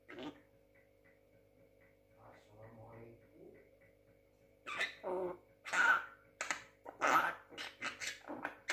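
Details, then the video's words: Young Javan myna, six months old, kept as a pet and said to talk: quiet opening with faint murmurs, then a run of loud, harsh, broadband squawks and chattering bursts with brief whistled notes in the second half. "burung jalak kebo muda pinter ngomong usia 6 bulan"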